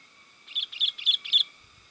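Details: Sooty-headed bulbul lure call for attracting wild birds: four loud, bubbly chirping notes in quick, even succession.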